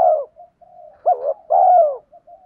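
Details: Lure calling from a decoy spotted dove meant to pull wild doves closer: a deep opening coo, quiet interlude notes, a quick rising hiccup note, and a full drawn-out throaty coo, with soft trailing coos after.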